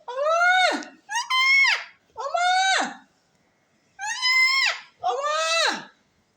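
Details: Pet parrot talking face to face with its owner indoors: five harsh, harmonic-rich utterances, each under a second, rising then sliding down in pitch, delivered in two bursts separated by a short silent pause; no other sounds.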